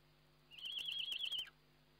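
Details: Single high, warbling, tremulous call about one second long, ending in a brief downward slur, from a Eurasian eagle-owl on a nest webcam during feeding, 29 May 2011; steady hum behind.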